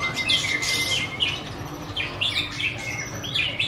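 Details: White-rumped shama giving short bursts of high, harsh chirps about four times a second over a thin steady whistle, with a low background hum.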